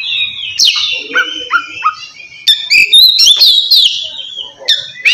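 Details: Oriental magpie-robin, kacer ngeplong style song meant to call a rival and prompt quiet birds; a long sustained whistle, a few short falling notes, then sharp clicks and bright sliding whistles.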